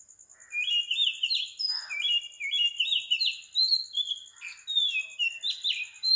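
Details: Oriental magpie-robin morning song from Sri Lanka, 4 am: a continuous flow of melodious whistles, chattery warbles and crisp downward notes, phrases changing every half second over a constant high insect pulse.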